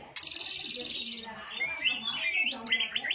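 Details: White-rumped shama bowing and quickly joining in to sing, delivering a dense, continuous stream of buzzy trills and quick rising and falling whistles without pause.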